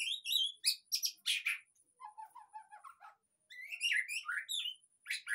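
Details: White-rumped shama song serving as a lure for a quiet caged bird; loud harsh high notes, then soft low twittering, a short silence, and a return of bright whistled phrases.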